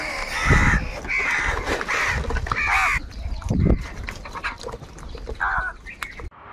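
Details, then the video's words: Angry crows fighting for food: harsh, nasal caws in bursts over the first three seconds, then scattered weaker calls and a last caw near the end, with low thumping noises underneath. "Kaka sound and noises of crow birds | Crow bird Fight for Food | Angry kauwa ki awaaz"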